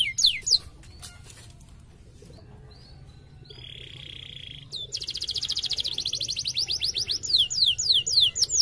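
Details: Canary song used as a lure to make silent canaries respond. Rapid rolling trills of repeated high sweeping notes build after a quieter stretch, with a steady low hum throughout.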